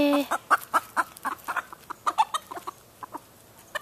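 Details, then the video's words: Hen on a ranch in northern California giving alarm calls because a predator is nearby: a rapid run of sharp clucks, about four or five a second, gradually slowing and fading. "Hen Alarm Calls"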